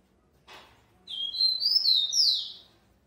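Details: A rufous-collared sparrow bred in captivity and described as very fast. A soft click is followed by one whistled song phrase, high sliding notes ending in a downslurred note.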